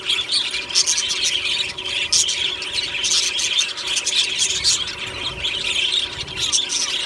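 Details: Budgerigars in a colony aviary, singing and chirping happily in the morning: a dense, continuous mass of overlapping warbles, squeaks and chirps from many birds, with a steady faint mechanical hum underneath.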